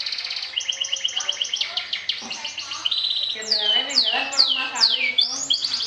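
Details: Champion Atlantic canary in the 'sobek' style, trilling to provoke and defeat rivals: rapid repeated high chirps build into fast trills, then loud descending whistled sweeps repeated about every half second, with buzzy lower tones underneath.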